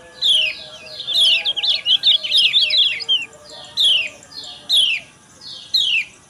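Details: Female yellow white-eye morning calls, used to prompt males into song: high descending chirps that break into a rapid chattering run, then return to spaced single slurred notes, with a constant low hum behind.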